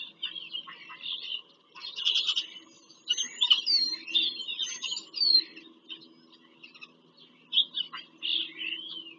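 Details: Bald eagles at a nest in Pennsylvania farm country, filmed by a live nest camera during a nest visit on 5 February 2023; high squeaky chittering bursts in runs, with thin rising whistled notes mid-clip, over a low steady hum.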